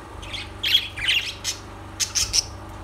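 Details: Lovebirds give a few clear, shrill squawks, then a quick series of three piercing high squeaks, with short gaps between the calls and a low hum beneath.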